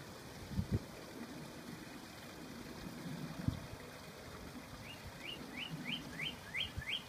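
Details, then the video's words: A Northern cardinal singing behind a deck gives a quick run of seven rising, slurred whistles near the end, over a steady high hum and low rumbling thumps. "Singing Cardinal"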